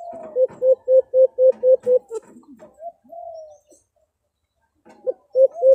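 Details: Alimukon or white-eared brown dove call for luring birds while hunting in the Philippines; a fast series of about eight low hoots, a soft rising coo, silence, then a few more hoots.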